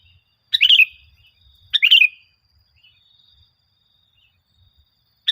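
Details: Sooty-headed bulbul lure song for caged birds: two bubbly chirped phrases about 1.2 seconds apart, then a pause, and the start of a third at the end.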